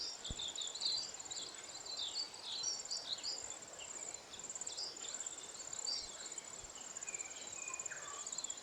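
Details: Mostly female lesser redpolls feed on alder cone seeds during winter in the Maungakotukutuku Valley, Kapiti, New Zealand. A busy cluster of thin, high twittering notes comes first, then sparser chirps, with steady insect trilling behind.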